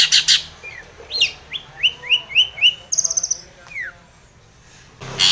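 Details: Long-tailed shrike provoking a rival, delivering a quick series of short rising-and-falling whistled notes, about five in a row, then a buzzy trill and a downslurred whistle, with a harsh burst at the start and end.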